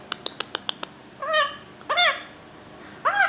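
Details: Pet male ringneck parakeet aged five months, beginning to talk, makes six quick clicking kiss sounds, then three arched, harmonic whistled notes separated by short pauses.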